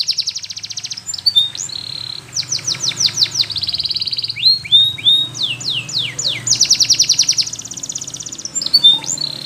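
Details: Powerful training song of a yellow Spanish Timbrado canary, alternating rapid rattling trills with series of steep falling whistles, phrases flowing almost without pause over a low background hum.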